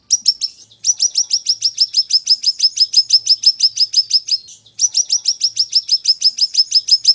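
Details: Ashy tailorbird, a master recording for tutoring other birds, described as sharp and fiery: long runs of sharp, high, bright chip notes repeated about three times a second, broken by one brief pause; no other sounds.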